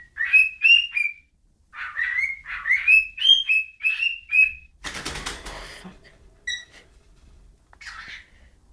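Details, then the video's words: A bird whistles a quick series of clear rising notes, then a sudden loud burst of broadband flapping-like noise cuts in, followed by scattered faint whistles. "whistling bird"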